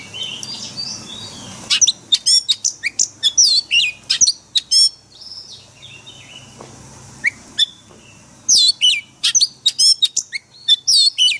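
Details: Oriental magpie-robin singing in forest voice, used to train caged birds daily: faint whistles at first, then rapid bursts of sharp, varied chirps and slurred notes with short gaps between phrases.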